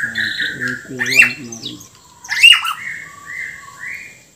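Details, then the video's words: Bornean white-rumped shama in lively song with filler phrases and rough notes; low human-like voice sounds at the start, then two sharp upward-sweeping bursts and short level whistles. "MURAI BORNEO GACOR FULL ISIAN KASARAN SAMPAI TUMPAH - TUMPAH"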